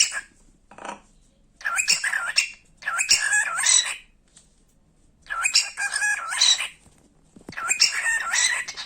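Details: Talking cockatiel kept as a pet, playing while it chatters: four bursts of harsh, buzzy mimicked speech with looping, wavering tones, each a second or so long, broken by brief pauses.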